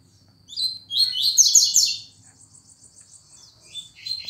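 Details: Lined seedeater giving a rapid tuituí song: a dense burst of high, sweeping chirped notes, strongest in the first half, followed by a thin, buzzy trill and a final short phrase.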